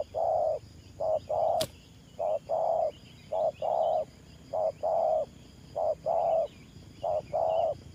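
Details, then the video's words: Trapping-decoy spotted dove cooing in the 'thổ pha' style: a long run of paired low hoots, each a quick note and a longer rounded coo, steady rhythm, one click and soft background birdsong. "Thổ Pha Nước Gù AE Tự Thẩm.Clip288_ Nết Gù coi sướng mắt"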